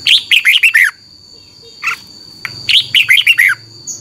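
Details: Red-whiskered bulbul song used to teach caged birds: two phrases of rapid, lively descending chirps separated by a short call, with a steady high whine running throughout.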